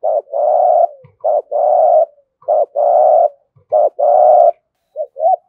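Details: Spotted dove cooing in the 'giọng thổ' style, played to stimulate other doves to coo: paired notes, a short clipped coo then a long steady purring coo, repeated four times in quick succession, ending with two soft short notes.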